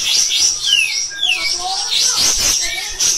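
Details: Pied triller (kapas tembak) in loud, harsh, insistent song used as a master for training other cage birds; high rapid chatter mixed with several clear whistles sliding downward, plus a brief low thump near the middle.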